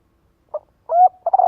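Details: Spotted dove calling to lure and gather others. A short note and a long steady coo give way to the start of a rolling purr, cut off mid-phrase.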